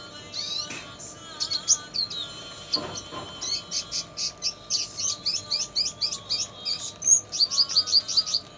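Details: Red siskin tutor recording with lovebird material: a varied high twittering song, with scratchy notes, a brief low rustle, then long runs of evenly spaced sharp chirps and a clear whistled note before a final fast trill.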